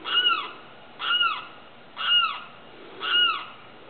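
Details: Limpkin calling at night: four loud, wailing, down-slurred cries with a strong harmonic tone, one about every second, over a low steady background hiss.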